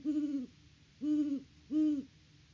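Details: Autumn nest hooting by great horned owls on a Peabody, Kansas farm, recorded by a live camera in October 2023: three low, flat hoots roughly 0.7 seconds apart over a soft, noisy background hiss.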